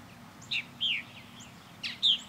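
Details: Backyard purple martins orbiting their birdhouse; four clear chirps, a short sharp note, then a longer slurred downward call, a pause, and two more sharp chirps.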